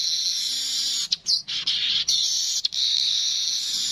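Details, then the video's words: Streaked weaver holding an almost unbroken high, hissing, buzzy wheeze, interrupted by a few short gaps and sharp clicks. "Burung Manyar kepala kuning suara asli"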